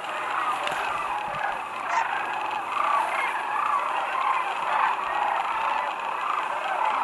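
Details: Huge flock of Sandhill cranes arriving at Whitewater Draw Wildlife Area near McNeal, Arizona, February 5, 2018; a continuous wall of rolling, honking calls, with a few louder individual bugles rising above the crowd.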